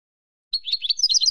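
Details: Brief fragment of Spanish-style European goldfinch song, a fast sequence of jingling, slightly buzzy twitters that grows louder and is cut off mid-phrase, with no background noise.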